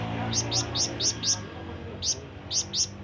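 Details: Flamboyan bird calling to draw in companions and rivals, giving a fast run of five high, sharp chirps, a short pause, then three more spaced notes over faint background hum.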